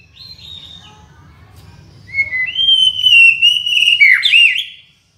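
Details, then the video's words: White-rumped shama (murai batu) song for tutoring and luring birds: soft high notes, then a long loud clear whistle rising slightly and ending in a twisting flourish, over a low steady hum. "MURAI BATU (mp3) suara masteran & memikat"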